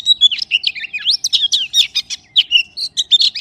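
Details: Oriental magpie-robin pours out a dense stream of varied whistles and chips, swooping up and down with hardly a break.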